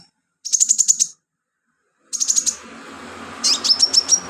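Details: Energetic sunbird song for use as filler in training songbirds: two fast, very high trilled bursts separated by silence, followed by a run of sharp, slurred whistled chips over faint background noise.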